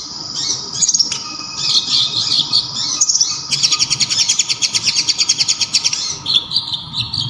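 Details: Local sunbird, known as kolibri ninja, with a very loud, sharp, clear voice: high, thin chattering twitters, then a fast run of rapidly repeated pulsed notes and a final burst of squeaky chirps.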